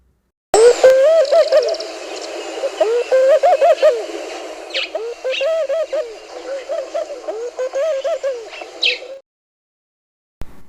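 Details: Laughing dove from southern Africa gives soft, low, bubbling coos, rising and falling notes in quick chuckling runs over about eight seconds.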